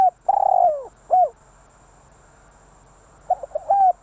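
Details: Decoy spotted dove finishing a phrase with a long falling coo and a short closing note, then starting again with quick soft coos and a level hooted note after a pause.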